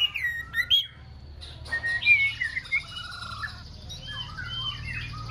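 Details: Six-month-old female white-rumped shama practising song: a few quick chirps and whistled slurs early, then quieter warbling notes fading under a steady low hum.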